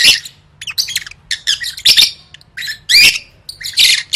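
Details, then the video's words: Lovebird song used to train birds for gantang singing competitions: high, harsh chattering squeaks and sharp chirps in about eight rapid bursts separated by brief pauses, with no other sounds. "Suara Burung Lovebird III Latihan Gacor Gantang Siap Juara"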